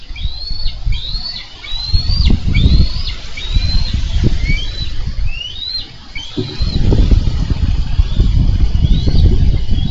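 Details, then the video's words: Bald eagles at a Minnesota nest, filmed by a live nest camera on 4 July 2013 as the male delivers a carp and the female wrestles the fish from his talons; high, thin whistled notes rise and slur down in a rapid chittering series, over low wind rumble. "Eagles Wrestling for Fish"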